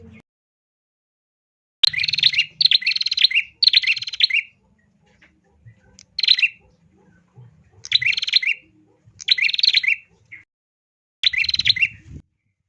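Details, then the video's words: Song of a female bar-winged prinia meant to make males sing: seven short bursts of fast, rattling, buzzy chatter spread over about ten seconds, the first three close together, then spaced about 1.5 seconds apart, with low background rumble. "KICAU Prenjak BETINA Gacor Suara ALUNAN ENAK 💯% Ampuh BIKIN PRENJAK JANTAN JADI CEPAT GACOR DOR"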